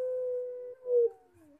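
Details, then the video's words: A long, level, howl-like note from a collared dove (puter) in pelung song lasts most of a second. It swells briefly, then slides downward into a fading tail. "PUTER PELUNG MANGGUNG - SUARA HOROR"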